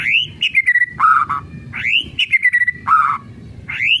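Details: White-rumped shama singing in the kretekan style used to excite other shamas. A rising whistle slides down into falling notes, then a lower burry note. The phrase repeats about every two seconds.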